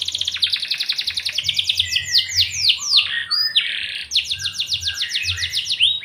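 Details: Canary song used to set other canaries singing. Fast buzzy trills, slurred sweeping notes and a bright rolling rattle alternate in loud, continuous phrases, over a low hum.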